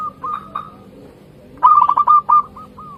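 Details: Local zebra dove, called perkutut, singing actively. Soft held coos give way to a quick staccato string of cooing beats, then spaced, trailing coos. Low background hum throughout.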